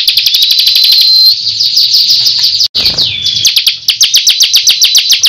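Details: High-pitched 'gacor ngunci' song of a bar-winged prinia, known locally as ciblek kristal: a long steady whistle, then a dense stream of rapid, evenly repeated sharp notes, briefly broken by a short dropout midway.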